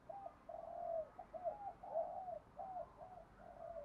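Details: Spotted dove cooing, a lure recording for wild doves: a faint, continuous run of soft hollow coos under steady background hiss.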